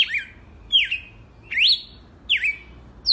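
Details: Song of a wild red-cowled cardinal, a series of bright slurred whistles that dip and rise, delivered in separate phrases roughly every three-quarters of a second.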